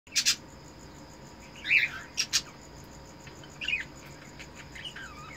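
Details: Captive Eno red-eyes cockatiel breeder pair during mating, giving a mating call: harsh, scratchy chirps in short bursts near the start, a screechy note midway, then quieter chirps and warbles toward the end.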